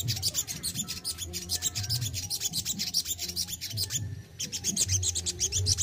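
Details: A singing sogon (Crimson Sunbird) in captivity, in besetan and tembakan style. Dense, fast, high scratchy twittering runs on with one short pause near the end. A faint low hum sits beneath.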